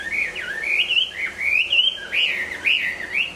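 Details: Hwamei singing during its moult, a continuous flowing string of clear whistled notes that swing up and down in smooth, looping phrases, loud and unbroken.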